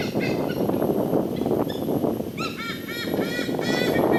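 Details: Raucous calling of White-bellied Sea Eagles echoing through a Singapore nature park. A few scattered notes are followed by a burst of loud, nasal honks in quick series, all over heavy low-pitched background rumble.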